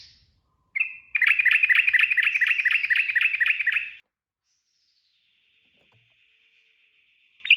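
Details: Sooty-headed bulbul delivering fast continuous ropel song: a short note, then about three seconds of evenly repeated bright chirps, followed by silence, a faint fading whistle and a final sharp note.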